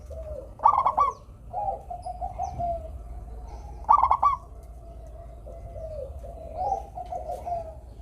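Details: Zebra dove (local perkutut) in melodious song intended to make lazy doves sing: two loud stuttering coo bursts three seconds apart, surrounded by quieter rolling coos.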